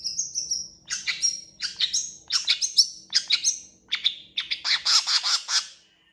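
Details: Energetic long-tailed shrike song rich in varied fill phrases, opening with thin high whistles, then rapid rasping chatter and sweet twitters in tight repeated bursts, ending on a dense scratchy trill; background clean.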